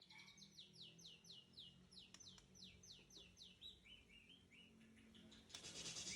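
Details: Seven-year-old white-rumped shama from Tangse, Aceh, singing a quick series of high, downslurred whistles, then lower warbled notes, faint, with a burst of noise at the end.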